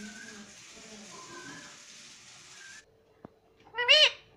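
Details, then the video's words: Talking pet parrot saying "mami": soft background tones and murmuring fade out, a sharp click sounds, then a single loud, hoarse, arched call rising and falling quickly. "ये मिट्टू मम्मी पापा बोलने लग गया || बातूनी तोता मिट्टू"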